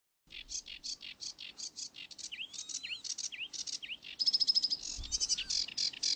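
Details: Northern lapwing chicks foraging give a quick series of high, thin peeping calls, about three per second, with a few lower downslurred notes midway and a louder rapid burst near the end.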